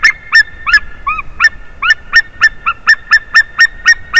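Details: White-tailed eagle calling on 30 March 2019 at 14:43 during a changeover at its favourite tree. A fast run of sharp, yelping, harmonic notes comes about four per second, with a few lower, arched notes mixed in midway.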